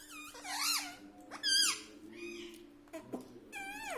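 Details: Talking pet parrot, said to repeat "mummy", "papa" and "radhe radhe", gives several bent, nasal syllables that swoop up and down, the loudest near the middle, with a constant low background hum.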